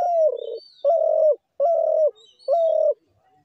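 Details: Spotted dove calling: four soft, low hooting coos in quick succession, each held about half a second with a slight downward slur at the end, in a quiet setting.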